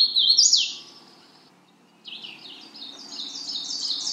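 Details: A bright, high Magnolia warbler phrase opens with quick sliding notes, falls silent for about half a second, then a rising series of chippy stepped syllables climbs higher toward the end.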